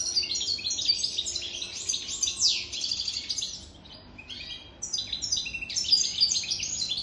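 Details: Lively song of a European goldfinch aged over three years: rapid tinkling twitters and buzzy trills in two long phrases split by a brief quiet pause, on a clean background.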